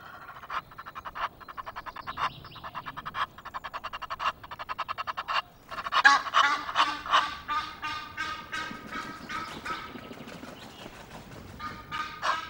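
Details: Egyptian geese at Loch of the Lowes, Scotland, recorded on 5 March and described as noisy: harsh, nasal honks in rapid, uneven bursts, first as short separate notes, then a dense, overlapping cackling chorus.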